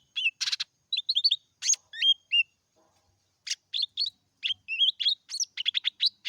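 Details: Lesser green leafbird singing in meratoh style, a continuous rambling song: quick bursts of sharp chirps, rising and falling whistled slurs and buzzy notes, with short pauses between phrases and one longer gap near the middle.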